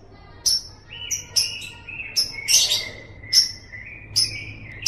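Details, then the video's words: Lovebird ngekek chatter: sharp high chirps repeated roughly every second, linked by a lower, sustained rolling trill that runs beneath them. One louder raspy burst comes near the middle. "bikin LOVEBIRD ANDA NGEKEK NGEKEK"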